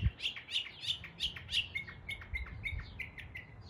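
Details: In East Tennessee a northern mockingbird copies local birdsong: a run of about five loud buzzy chirps, then a series of quieter thin whistled notes repeated quickly, over faint low rumble.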